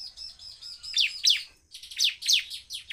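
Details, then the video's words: Fast full-power Bar-winged prinia song meant to provoke others of its kind: a level thin trill leading into loud, sharply descending chips in two short bursts. "CIBLEK GACOR suara penuh emosi tembakan ful POWER sangat cepat memancing emosi ciblek lain."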